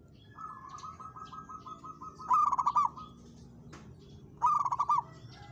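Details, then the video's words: Local zebra dove challenging a rival: a long run of soft, evenly repeated coo pulses leads into two loud, fast-pulsed coo bursts, with faint clicks in the background. "perkutut lokal gacor menantang lawan ikut bunyi!!"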